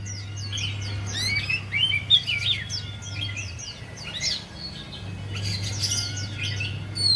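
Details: Javan white-eye song played to stir a reluctant singer: dense, fast, high chattering twitters in an unbroken stream, becoming busier near the end, over a low background hum.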